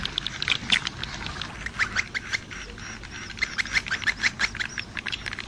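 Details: Edible-nest swiftlet: quick, buzzy chirps with short upward-sweeping notes, repeated roughly three times a second over a background of soft crackling chatter.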